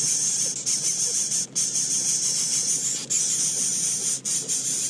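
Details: Greater coucal chicks in their nest keep up a loud, steady, high hissing, broken by a few brief pauses, as they beg while their mother brings them food.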